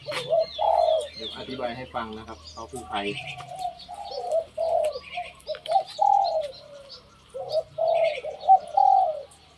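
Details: Captive decoy Spotted Dove combining several traits, not at full condition after a year kept in a room under the roof. A man talks at first, then low mellow coos follow in short grouped bursts, with faint higher chirps behind.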